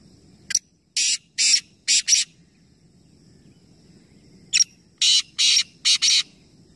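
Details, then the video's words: Black francolins in Nawabshah, Pakistan, three calling together in a competition: two series of harsh, grating, broadband notes, each opening with a short sharp note followed by four buzzy bursts, about two seconds apart, over a low background hum. "Teen Teeter Ek Sath Awaz Competition | Black Francolin | Black Partridge"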